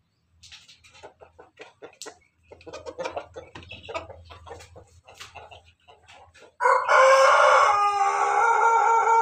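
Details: Pelung Bangkok and Ketawa Bangkok crossbreed chicken: about six seconds of soft, rapid clucking, then a sudden loud, sustained, harmonically rich crow that holds steady for the final three seconds.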